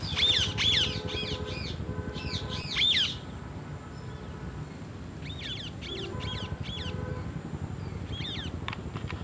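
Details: Parrots, one eating an apple, give loud raspy squawks at the start, then quieter scattered calls, with thin steady tones and low rumble in the background.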